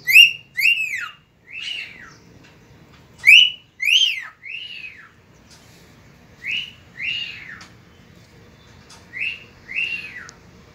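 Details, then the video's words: Cockatiel singing at dawn, recorded on 3 September 2019: clear arched whistles that rise then fall, delivered in short bursts of two or three notes with pauses between, about ten notes in all, over a quiet, faintly hissing background. "Calopsita cantando ao amanhecer"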